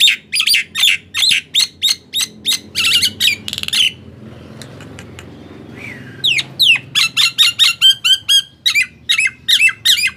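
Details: Nias hill myna in captivity, singing to prompt silent mynas to answer: a fast series of loud, rasping squawks, a two-second lull, then another rapid run of sharp, upward-sweeping notes.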